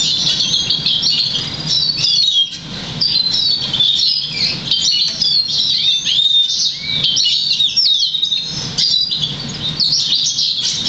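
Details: Crested, 50% variegated black siskin × Russian canary mule, bred August 2009, trained to sing European goldfinch notes; continuous twittering song of rapid high chirps, trills and slurred notes, with low hum beneath.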